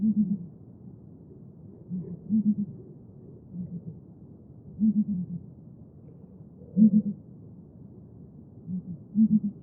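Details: Southern ground hornbill, the bird the Xhosa regard as the sacred rain bird, giving deep low booming hoots in paired phrases. A softer group is followed by a stronger one, repeating about every two and a half seconds over a steady low hiss.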